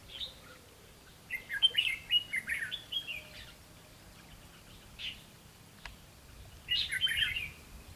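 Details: Red-whiskered bulbul recorded during bird trapping on 12 July 2016: short, bright warbled phrases of quick rising and falling notes in three bursts, separated by pauses, over faint steady background hiss.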